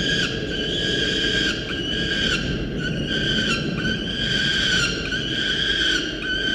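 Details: Peregrine falcon chick on a nest camera at Charles Sturt University, 13/11, begging hysterically as its mother arrives: long, harsh, strained screams repeated almost without pause, over steady wind-like noise.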